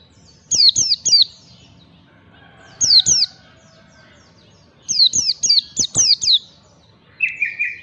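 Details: Training lure of white-eye ngalas song: repeated bursts of shrill, falling whistles in threes, twos and a run of six, ending with a lower, softer trio of buzzy notes.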